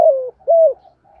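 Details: Spotted dove cooing to rouse birds in training, male and female together: a strong falling hoot, then an arched rising-and-falling coo, fading into a quiet trailing note.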